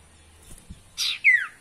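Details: Sirtu voice used as a lure for caged birds: a short rasping burst followed at once by a loud, clear chirp that slides downward.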